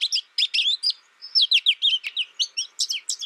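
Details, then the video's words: American goldfinch delivering rapid, continuous high twitters, a run of quick chirps and slurred squeaky notes with tiny gaps, plus one sharp click midway. "American Goldfinch Sound"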